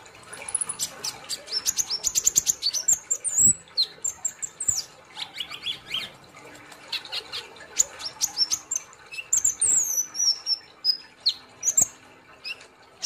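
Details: Long, busy bout of Olive-backed sunbird gacor nembak song, with many rapid ticks, shrill squeaky whistles and high fluttering trills, pouring out almost continuously.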